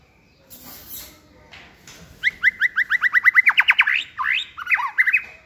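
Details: A young White-rumped shama in a cage on a table, singing in many voices: soft sounds at first, then a fast series of about fifteen loud repeated whistled notes ending in sweeping, warbling phrases.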